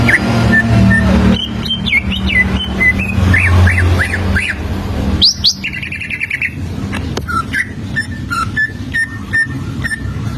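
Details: Standard greater green leafbird song used as a lure to teach young leafbirds to sing: varied sharp whistles, rising and falling slurred notes and quick chattering trills, over a loud, steady low rumble of background noise.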